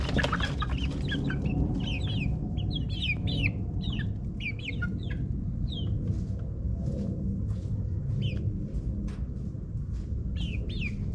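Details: Backyard chicken chicks in their ninth week, out in their run in suburbia: repeated high, downward-sliding peeps in quick clusters over a steady low rumble like a distant lawn mower.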